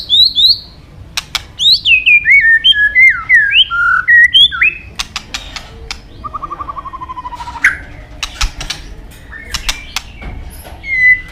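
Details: A white-rumped shama, or murai batu, in full song with varied inserts: a descending series of sweet whistled slurs, scattered clicks, a quick even trill of short notes, and a final high whistle.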